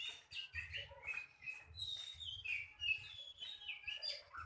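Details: White-rumped shama, described as a competition-grade bird, pouring out a fast medley of clear whistles, slurred notes and chirps, some high and some dropping lower, over a faint low rumble.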